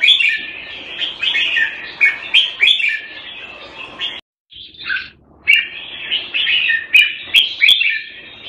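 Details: Red-whiskered bulbul kept caged in Singapore, Thai style, February 2018, delivering rapid liquid whistled phrases that break off into a short silence, then resume with sweet rising and falling notes and several sharp clicks.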